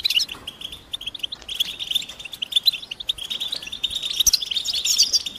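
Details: Goldfinch mating call, a twitter said to prepare males and get them singing: a sharp opening chirp, then softer, steady high twittering that grows busier and brighter toward the end.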